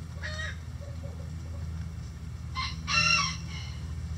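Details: ['Crowing rooster in a chicken coop on a sunny day: a short nasal call, then a loud, bright crow of about a second with a rising-then-falling tone, over constant low hum.']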